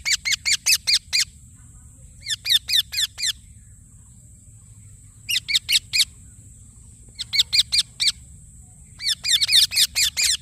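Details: Indian ringneck parakeet chirping in separate bursts of four to seven quick, piercing notes, with silent gaps between and a constant high tone underneath.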